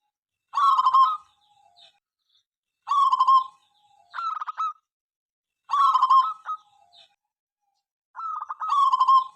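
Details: Zebra dove, local type, a loud singer morning, noon and night whose song is said to set others calling. Four bursts of low cooing, each a stuttering run ending in a trilled coo, spaced about every two and a half seconds.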